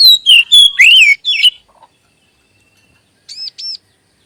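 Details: Magpie robin lure song to stimulate adult and juvenile magpie robins: a quick burst of loud, varied whistled notes with swooping slurs, followed by silence and two faint high double notes.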